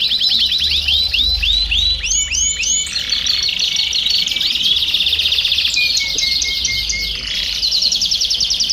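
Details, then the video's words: Domestic canaries singing together in a group, played to encourage singing; looping arched chirps open into dense layered trills, buzzy rolls and a sustained whistled tone from many birds. "BADERNA DE CANÁRIOS DO REINO - TOP PARA ESTIMULAR O CANTO!!!"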